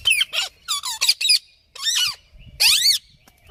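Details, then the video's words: Parrot making loud, strident squawks, several with an arched rise-and-fall in pitch, delivered in quick succession with one brief pause. "Parrot Making Noises"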